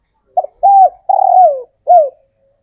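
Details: Local male spotted dove, a wild-caught bird in care, sounding its dense call meant to draw in females: four cooing notes, a brief opener, a level coo, a long wavering falling coo, then a short falling final note.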